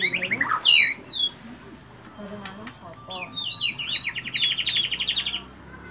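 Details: Kept White-rumped shama singing a long song filled with cililin material linked with canary phrases: sweeping whistles and sharp chips, then a fast, even trill of rapid repeated notes near the end; faint human voices in the middle.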